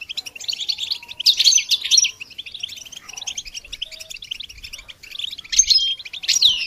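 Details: Goldfinch singing on a songbird training recording, a fast liquid twitter of high chirps broken by louder bursts of jumbled notes around one and five to six seconds.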